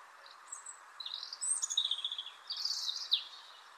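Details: European robin singing in the May dawn chorus, Ireland: high, fluty, twittering phrases faster than a blackbird's, trilling and sliding up and down, improvised and never repeated, with pauses between them, over a low steady background hiss.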